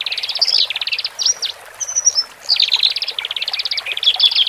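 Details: Horsfield's bush lark pair, male and female, caged, singing to help fresh birds adapt; rolling high trills, a couple of thin whistled slurs mid-phrase, then renewed rapid pulsed runs.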